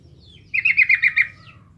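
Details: Lively yellow-vented bulbul song used to stir up other bulbuls and coax beginners into replying: a brisk run of about six throaty, bubbling notes in under a second, fading into a soft tail.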